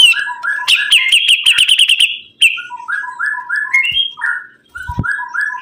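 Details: Lively sibuntung bird song mixing fast high chattering notes with lower, mellow, evenly spaced whistled notes that step up and down in pitch, with a brief pause and a soft knock midway.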